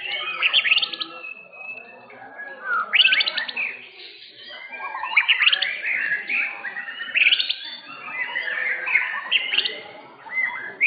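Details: Contest-winning white-rumped shama in Indonesia singing at a bird competition arena, session seven first place; bursts of loud varied whistled and chattering phrases every second or two, with quieter birds and background murmur between.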